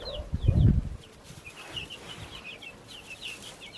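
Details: Young backyard chicks peeping in short high descending notes after a loud low bump at the start. The chirps continue quietly over a soft background.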